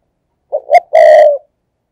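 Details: Spotted dove coo used as a lure to attract wild doves: two short rising notes then a long steady hoarse coo, clean and close with no other sounds.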